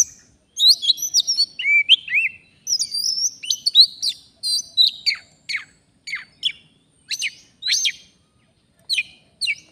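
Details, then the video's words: Wild Oriental magpie-robin at a luring spot in the forest. A busy jumble of whistles and chips opens the song, then gives way to spaced, sharp, downward-swept chirps repeated roughly once a second. "Kacer, begini jadinya kalau tidak di ajak duel fighter || full gacor"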